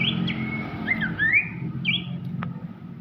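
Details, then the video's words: Abbott's babbler song, offered as a tutor song for champion magpie-robins: clear whistled notes, some long and level, others slurred and rising, over a steady low hum and a faint constant tone. "siulan merdu sang pelanduk semak"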